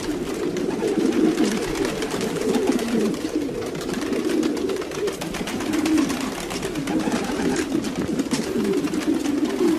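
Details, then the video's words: Several domestic pigeons coo together in low, throaty, rolling phrases that overlap without pause, with soft clicks and shuffling from the flock. "Sounds of pigeons.Domestic pigeons"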